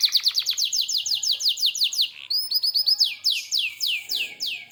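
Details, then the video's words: Canary singing gacor, full and lively: a quick series of falling swept notes, a short pause, then rising phrases and broad downward-slurred notes repeated at a brisk pace. "Suara Kicau Burung Kenari Gacor dor"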